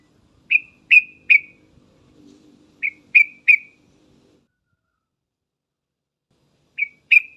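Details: Sooty-headed bulbul call used as a lure, short sharp chirped notes in groups of three, each group about two seconds after the last, then a pause and a final pair, in a quiet setting.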